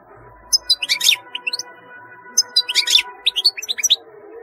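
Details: European goldfinch song of fast liquid twitters and chirps in two dense bursts, over a faint steady low hum in the background.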